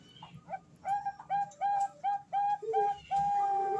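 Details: Female Bangkok zebra dove calling to a male, used as a lure to get birds to learn to sing: a run of short, clear cooing notes repeated about every third of a second, with faint background chatter.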